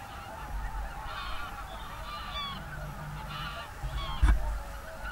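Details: Wintering whooper swans gathered with geese in a national park, early evening of 7 February 2023: many trumpeting, nasal honks overlapping in a continuous chorus, over a low rumble, with a short sharp knock near the end.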